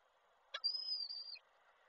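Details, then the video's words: Male peregrine falcon calling to the female at Koszalin, March 2023: a sharp click-like onset followed by a single sustained, thin, high-pitched whine that drops briefly at its end, over faint background hiss. "samiec woła Nilę"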